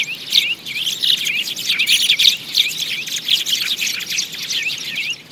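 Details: Lure recording of sparrow calls for trapping: busy overlapping chirps and twitters from many birds, steady and unbroken throughout.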